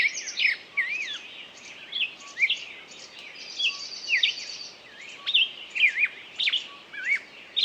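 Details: Bird singing: varied whistled notes that swoop up and down, given in short bursts about every second, with a high thin buzzy trill behind them over a steady soft hiss.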